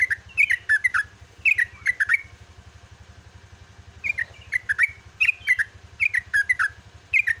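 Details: Dawn song of a caged yellow-vented bulbul: two bursts of rich, gurgling whistled phrases of paired notes separated by a two-second pause, over a continuous low motor drone.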